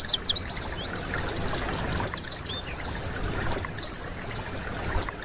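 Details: High-pitched white-eye song meant as tutoring for caged birds: a fast, tangled stream of squeaky twittering notes that settles into quick repeated chirps, over a light background hiss.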